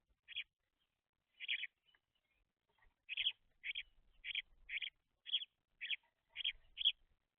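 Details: Young house sparrows, fluffy juveniles at seed, chirp in a steady run of clear, slightly buzzy notes roughly every half second after two opening calls, with only faint background rustle.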